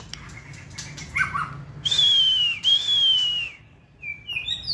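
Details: Hand-tamed white-rumped shama kept for contest singing opens with soft warbles, then two loud, pure, high whistles, each held about a second and dropping slightly at the end, followed by thin rising notes.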